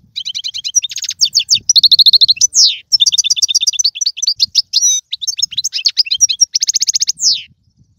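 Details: Goldfinch 'bitbita' twittering meant to prompt a kept goldfinch to sing, delivered nonstop: rapid liquid chirps, buzzy trilled runs and sharp downslurred notes packed into a lively, continuous flow.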